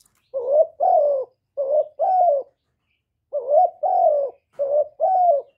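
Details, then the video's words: Decoy spotted dove, a kept bird, recorded cleanly to spur other doves into calling; rapid paired coos, a short note then a longer downslurred one, repeated four times in quick succession with a brief pause midway. "Cu gáy hạp bổi {GÁY GỌI+THÚC+KÈM+GÙ khống} kích bổi hiệu quả. Cu đất gáy, tiếng cu cườm. Cu gáy mồi"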